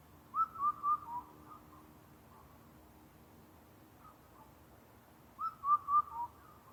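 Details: Rare Indian cuckoo recorded at Karuizawa, Japan, giving two four-note whistled phrases about five seconds apart. Each phrase has evenly spaced mellow notes that fall gently in pitch, with a faint low hum in the background.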